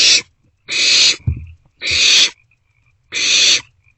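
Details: Barn owlets in a nest box at about 2 am, sharing a meal; four loud harsh hissing screeches spaced about 1.2 seconds apart, with a faint thin whistle and a thump of movement.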